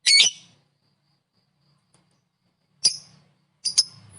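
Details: Lovebird calls aimed at provoking other lovebirds: a short harsh chattering burst, a pause of over two seconds, then a sharp single chirp and a quick double chirp.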